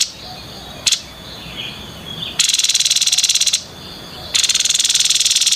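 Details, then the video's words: Grey-headed babbler giving 'konslet' song. A faint thin whistle comes first, then two dense, high, buzzy rattles made of rapid even pulses, each lasting just over a second. "TEPUS KEPALA ABU KONSLET"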